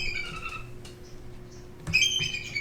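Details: A bald eagle at the Alaska Raptor Center in Sitka, Alaska, a bird-of-prey rehabilitation facility, gives thin, high chittering whistles in short bursts. They are weaker and squeakier than the red-tailed hawk scream TV often uses, over a steady low hum.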